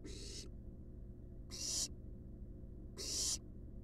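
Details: Wild barn owl nestlings resting in a monitored nest box: three harsh, breathy hissing bursts, each about half a second long and spaced roughly 1.5 seconds apart, over a steady low background hum.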